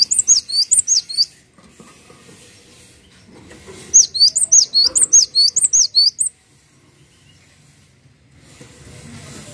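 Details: Tutor song of a gelatik watu (cinereous tit): a short burst of high whistles, a pause, then a longer run of about fifteen rapid, piercing up-slurred notes, ending in quiet.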